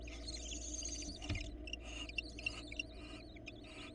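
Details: Female barn owl at a Florida nest bringing a rat to a nestling, then interacting with the male; wavering high twittering trills and short hissy bursts over a steady low hum.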